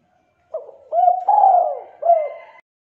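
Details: One complete spotted dove phrase in the thick, clear 'culhu kuk 2' style prized for contest birds: a short note, a rising-falling note, a long descending coo and a final hooked note, with a faint steady tone near the end.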